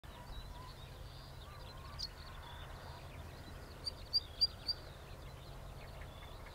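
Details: Amur stonechat (Saxicola stejnegeri), Korea/Japan species about 13 cm: four short, hard ticking calls in quick succession, about one every quarter second, over low steady rumble with faint distant chirps.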